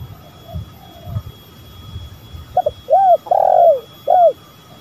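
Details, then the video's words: Spotted dove calling, male and female on a lure recording: after quiet faint coos, a loud phrase of two quick short notes, a long rounded coo and a brief final note, with soft low background noise. "Pancingan tekukur gacor"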